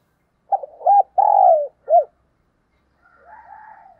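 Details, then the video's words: Spotted dove kept as a decoy, calling in the morning: a short note, two looping hoots, a long drawn-out falling coo and a final short hoot, followed by faint higher chattering. "Tiếng Chim Cu Mồi Gáy Gọi Vào Buổi Sáng/ Mở Lên Bổi Nghe Nhanh Gáy"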